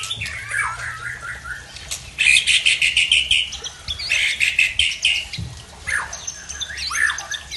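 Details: White-rumped shama from Tangse, Aceh, showing off its learned repertoire: varied slurred whistles and phrases mixed with a harsh noisy chattering burst, over background hum.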